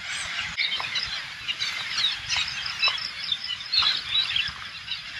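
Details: Hundreds of green parakeets, thought to be Alexandrine parakeets, on a farm in rural Thailand: a constant clamour of high, harsh, overlapping squawks from many birds, with occasional louder screeches standing out from the chorus.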